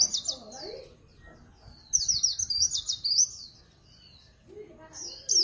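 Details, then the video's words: Swinhoe's white-eye singing in a clean recording free of background noise: high, rapid warbling phrases in quick trilled bursts, with a pause between two strongly sung passages and a further phrase starting at the end. "Tiếng Chim Khuyên Líu Pha Chòe [ Không Tạp Âm ]"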